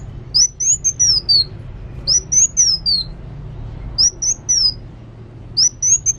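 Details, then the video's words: Kolibri wulung sunbird singing actively, giving thin high whistled phrases that waver and slide downward, four phrases spaced by short gaps, with a faint low hum beneath. "Kolibri Wulung Gacor"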